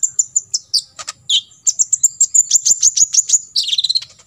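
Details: Olive-backed sunbird (kolibri ninja) delivering full tembakan isian for contest-bird training: scattered thin high notes break into a fast, even run of sharp ticking chirps, ending in a short busy twittering burst.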